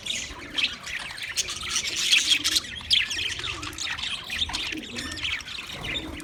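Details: Budgerigar song on 14 March 2024, steady soft chattering of chirps and clicks with a few louder squawky notes in the middle.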